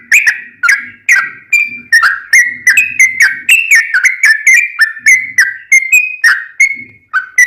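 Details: Sooty-headed bulbul singing, used as master sound for caged birds; whistled notes, some drawn out, some falling, repeated irregularly about two per second, with low murmuring noise at times.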